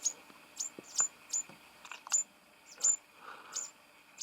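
Yellow-crowned bishop giving sharp, very high ticking notes at an uneven pace, about one to two per second, over a faint steady background hum.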